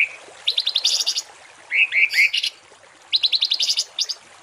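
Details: Songbird in a masteran for cage and contest birds, giving harsh 'tembakan kasar' phrases: a short stuttering buzzy rattle, a pair of rising whistles, then another quick chattering burst.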